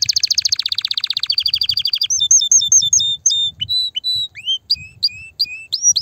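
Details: Excited canary song played to excite females for mating and nest building: a very fast ringing trill gradually slows, then breaks into separate clear whistled and slurred notes with short pauses between them.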